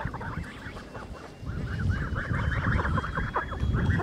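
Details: Blue Muscovy ducks three months old on a farm, 19 July 2017: a busy stream of short, hoarse, slightly rising calls, several birds overlapping at a quick pace over a low background rumble.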